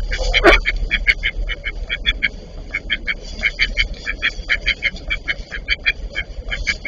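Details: Eastern spot-billed duck couple in a fight; loud, rapid runs of short nasal quacks repeated in bursts, with a sharp click near the start.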